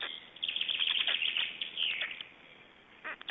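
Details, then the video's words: Black storks in Estonia during a feeding on 22 May 2012: a dense run of high, harsh, chattering calls fills the first two seconds, then fades, with a few short sharp bursts near the end. "Estonian Black Storks - Feedings"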